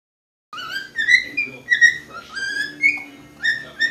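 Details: Pet cockatiel indoors, perched in a liquor cabinet, giving a run of clear whistled notes, each rising or slurred with bright overtones, repeated about every half second with short pauses; a faint low hum in the room.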